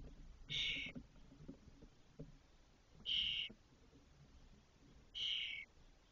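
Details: Spotless starling at a cork oak nest with six fully feathered chicks about 22 days after hatching, when the first fledged, in Doñana, Spain, 2023: three harsh, hissing rasps about half a second long, two to three seconds apart, over soft rustling.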